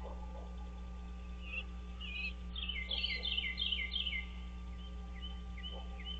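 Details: Wild American bald eagle at its nest on Dale Hollow Lake, a reservoir on the Kentucky-Tennessee state line, on a nest camera at 06:09 on 30 March 2023. A run of high, quick, falling piping notes over a constant low electrical hum.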